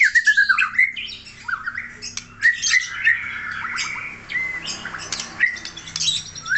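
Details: Aceh white-rumped shama in energetic song: fast descending whistled notes, then a dense jumble of chips, slurs and pure whistles repeated in quick, varied phrases, with faint low hum behind.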